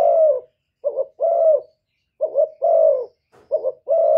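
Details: Spotted dove calling in 'thổ thúc' style to provoke wild birds: steady low coos in pairs, a bouncing short note leading into a longer smooth note, repeated four times without background noise.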